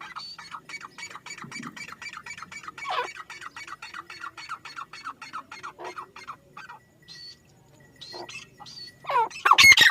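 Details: Grey francolin giving a steady series of short, harsh notes repeated several times a second, then breaking into scattered squawks and ending with a loud burst of noise.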